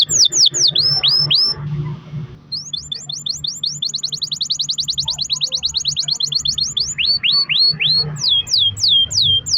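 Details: A canary sings a long-roll song, played to stimulate other canaries to sing: loud, high, sweeping whistles, then a fast even roll of clipped notes lasting several seconds, ending in rising and falling whistles over a low hum.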